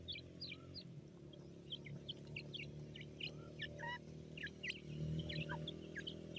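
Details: Francolin chicks feeding in a forest: rapid, high, short chirps with quick upward and downward inflections, several per second in loose irregular series, over a steady low hum.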